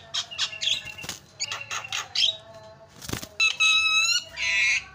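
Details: Lure call of a Javan myna, meant to set other mynas calling: rapid rasping chatter and clicks, then a sharp burst and a ringing whistle ending in a broad harsh squawk.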